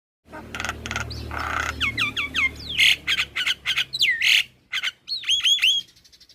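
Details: Young male black-winged myna singing energetically, used as tutor song and to calm stressed mynas: harsh squawks and noisy bursts mixed with clear whistled notes, rising and falling slurs, and a final run of looping whistles.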